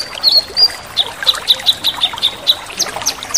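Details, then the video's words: Male cucak kinoi gives a drawn whistle, then a steady series of short, sharp high notes about four per second, rising slightly at the end, over flowing water. "Cucak Kinoi Jantan Gacor | Crecetan Kinoi Tajam | Kinoi Full tembakan"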